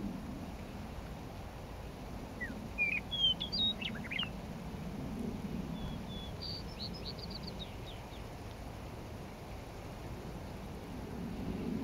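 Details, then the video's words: Meadowlark in a Lethbridge coulee, May 9, 2014: a distant song heard through steady low rumble, with short whistled slurs and a fast jumbled phrase, then a second fainter burst of high notes. "Lethbridge coulee meadowlark song"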